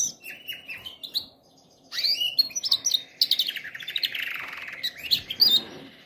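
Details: Canary singing for training canaries: bursts of buzzy, high chirping trills with a short silence, then a dense, rolling warble that sweeps down and rises again into sharp notes.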